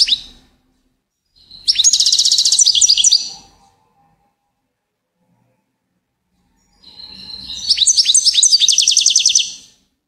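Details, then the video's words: Goldfinch song: two bright, high twittering phrases about two seconds long, each opening with rising chirps and running into a fast buzzy trill, separated by a few seconds of silence. "Gold finch TOP SONG of the day"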